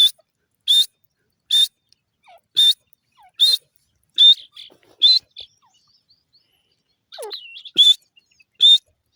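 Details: Grey francolin giving a series of loud, harsh, high-pitched notes at a steady pace of about one per second, nine notes in all, with a short pause and faint twittering partway through.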